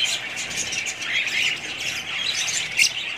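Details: A group of budgies keeps up busy, high-pitched twittering with harsh squawks rising and falling, and a sharp louder chirp near the end.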